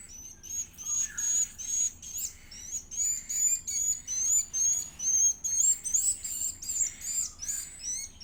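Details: High, piercing begging squeals of an edible-nest swiftlet chick being fed, coming in rapid rhythmic pulses, some notes flicking upward, kept up steadily for eight seconds over faint low hum.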